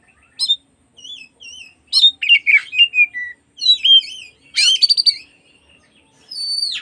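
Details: Oriental magpie-robin singing in the afternoon as a lure to provoke other magpie-robins: sparse, bright wavy whistles and chirps, then a burst of quick rattling notes and a final falling whistle, in quiet surroundings.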